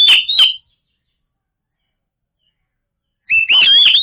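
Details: Oriental magpie-robin song used as a lure to provoke silent birds into singing: two short loud whistled notes, a long silence, then a rapid burst of varied whistles and harsh chattering notes.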